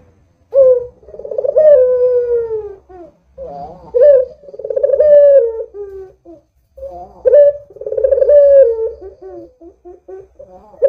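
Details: A lively Barbary dove used to set other doves calling gives three throaty rolling coos. Each rises briefly, then slides down in a long mellow note, with small clucks between the phrases.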